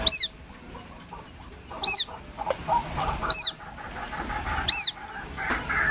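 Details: Plaintive calling of a White-breasted waterhen chick, used as a lure: four piercing high peeps, each rising then falling, spaced roughly 1.5 seconds apart, with soft scattered chirps between them.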